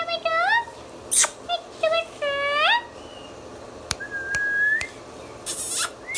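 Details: Pet Indian ringneck parrot indoors producing harmonic, voice-like talking notes that bend upward, a few sharp clicks, then a long level whistle, with a short harsh squawk at the end.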